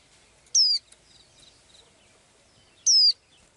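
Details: A little blue-eyed bird singing its daily song: two clear, high descending whistles separated by just over two seconds, with faint twitters in between.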